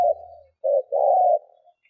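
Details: Spotted dove decoy cooing to lure wild doves: a fading low coo, then a short hollow note and a longer steady throbbing coo, with a faint low hum at the start.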